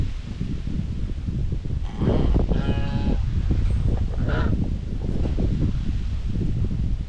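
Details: White Chinese geese, domestic, grazing and bathing on a homestead farm while chattering socially; one drawn-out nasal honk with a harmonic ring near the middle, then a shorter call, over steady low rumbling and rustling background noise.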